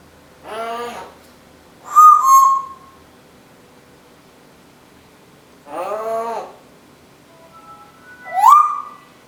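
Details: Pet female Timneh African grey parrot talking and singing indoors: harmonic voice-like phrases alternating with clear whistled notes, some rising sharply, in four bursts separated by pauses.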